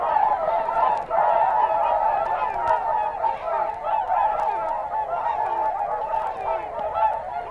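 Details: A flock of whooper swans at Matsalu (1979 field recording) calls continuously, with many overlapping, nasal, trumpeting honks in a dense, steady chorus and no pauses.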